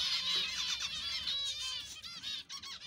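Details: Finches calling together in a colony, producing a continuous high-pitched chorus of overlapping twittering and squeaky chirps, with a steady low background hum.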